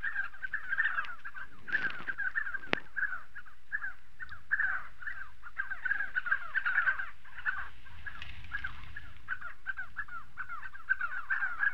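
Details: Spotted sandgrouse in southern Morocco, many birds giving dense, overlapping, gurgling mid-pitched calls without pause, each note a short downward-bending slur. A few faint clicks break in near the start.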